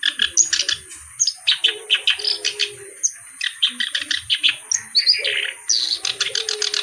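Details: Kerak basi alis hitam, the black-browed reed warbler, in full continuous song: fast, grating, chattering phrases of clicks and churring notes broken by brief pauses and a few thin rising whistles, with a faint low hum beneath.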